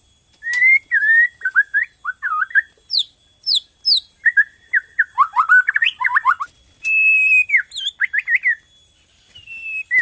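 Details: White-rumped shama of the Borneo type singing as a lure to set other shamas singing; a continuous, varied outpouring of clear whistles, quick slurred notes and high sharp chips, with a long steady whistle near the end.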